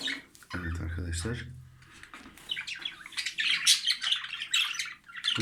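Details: Male jumbo budgerigar courting a newly paired female indoors; a man speaks briefly at first, then busy, scratchy high-pitched chattering and chirps continue steadily to the end.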